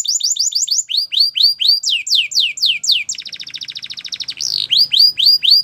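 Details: Canary singing a training song, with quick rising whistled notes repeated about four per second, then downward slurred notes, a long even rattle and a final run of bright sweeping whistles.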